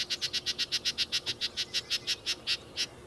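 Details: Yellow-breasted chat (Icteria virens) giving a rapid series of about fifteen short, even notes, roughly five per second, steady in pitch and slowing slightly at the end.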